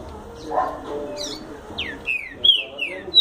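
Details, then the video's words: Green-winged saltator giving its quick explosão song: a run of strong, sweeping whistled notes, each falling in pitch, coming roughly one per half second in the latter half, with faint low background noise. "Trinca Ferro Explosão 💥 rápido"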